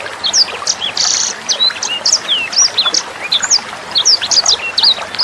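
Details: Sanger bird tutor recording used to teach other songbirds and young sangers. It gives rapid high chirps, short slurred whistles and one brief buzzy note in a continuous stream over the steady patter of flowing water.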